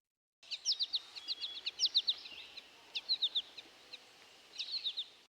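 American Goldfinch flight calls: quick bouncy runs of three or four high, thin notes, the familiar 'po-ta-to-chip' pattern, repeated in short bursts over faint background hiss.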